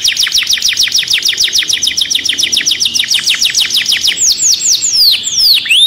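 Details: Excited caged canary pouring out a steady trill of rapid downward-sweeping notes, finishing with a few longer, louder swooping whistles.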